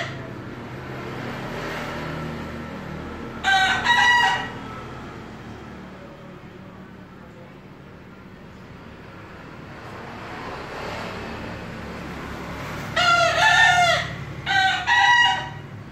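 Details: Three crisp crows from a bekisar chicken considered a future contest winner, one early and two close together near the end. The calls are short, shrill and harmonic, set against a steady rumbling background.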